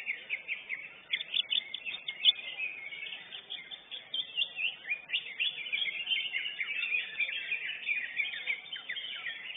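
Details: Lesser green leafbird that took first place in a singing contest: sharp, high whistled slurs and chips at first, building into a nonstop rapid warble of tumbling notes.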